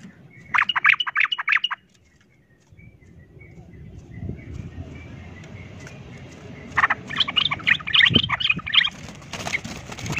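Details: Sooty-headed bulbul 'ropel tarung' fighting lure; a short burst of fast chattering notes, a stretch of rustling low noise, then another energetic chattering run near the end.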